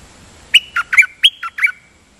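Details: Decoy dok taeng bird doubling its phrase: six clipped, squawky notes run together, rising and falling between two pitches, followed by a quiet pause with a faint high tone.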